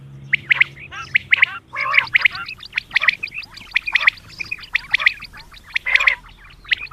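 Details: Female common quail (batair) calling at dawn: short, harsh, gargling notes in quick clusters, repeated roughly once per second with little pause, against a low background hum.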